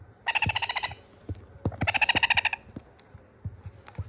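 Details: Sun conure chicks pleading for more food with two rattling, harsh bursts of rapid pulses, the second longer, amid frequent low thumps and faint chirps.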